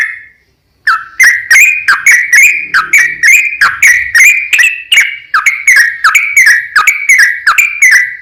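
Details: Sooty-headed bulbul in long rapid 'ropel panjang' style, used to lure other bulbuls into singing: after a brief silence, a quick run of sharp whistled notes with harmonics, about three per second, steady and slightly rising.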